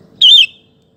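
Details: Sooty-headed bulbul used as a singing lure for other bulbuls; a single bright, slightly husky note that falls gently in pitch, with a faint low hum beneath.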